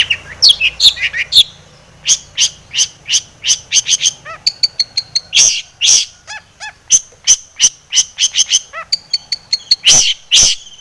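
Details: Long-tailed shrike singing energetically in full varied song, used as a lure to provoke other shrikes to sing: harsh broadband chacks mixed with high thin whistles and short rising notes in quick, irregular bursts.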